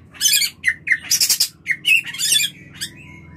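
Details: White-rumped shama mating call meant to trigger breeding: harsh, broadband squawking bursts alternating with short clear notes, loud and uneven.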